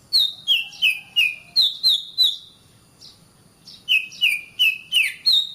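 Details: Training recording of oriental magpie-robin song for caged birds: bright whistled notes that each fall in pitch, repeated roughly every third of a second, a short gap with faint upslurs, then the falling whistles return.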